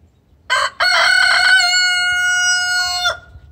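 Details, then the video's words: Hen giving a loud, extremely vocal distress call to a rooster: a sharp note, then a long sustained nasal squawk held steady for over two seconds with rich harmonics, ending in an abrupt drop. "Hen Calls extremely vocal"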